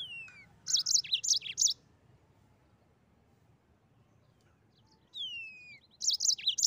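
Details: Mozambique canary: a falling whistle and a short burst of bright, high chirps, a long silent gap, then another descending whistle and chirp burst.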